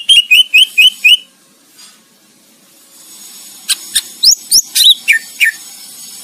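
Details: Greater green leafbird singing for songbird competition training: a quick run of five clipped whistled notes, a short pause, then a scatter of sharp clicks and rising and falling whistled sweeps over faint background hiss.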